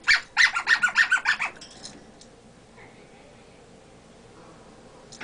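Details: Male pet African grey parrot, imitating speech and burping, produces a quick regular series of about a dozen clicky pulses in under two seconds, then near silence.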